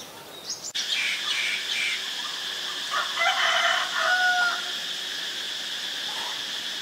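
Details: A White-vented myna at Ubon Ratchathani, Thailand, on 8 March 2022 gives harsh, scratchy chatter broken by a clear, level whistle, over a steady high insect hiss.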